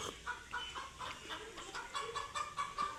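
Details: Chickens scared by their first sight of cats cluck quietly and steadily, roughly four notes per second, against a hissing background.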